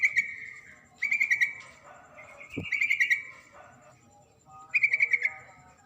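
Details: Female sooty-headed bulbul calling the male: short bursts of bright chattering notes around a steady pitch, rapid trills near one and five seconds with a quieter burst in between, faint background hum.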